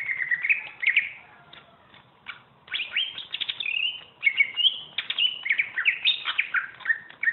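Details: Greater green leafbird, a champion singer used for tutoring, with a short warble, a quiet pause, then a dense, fast run of sharp whistled chips, slurs and trills.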